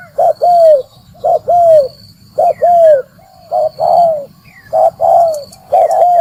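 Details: Spotted dove lure call for catching wild birds: steady paired coos about every second, a clipped first note and a long falling second, with a low background hum and occasional high chirps.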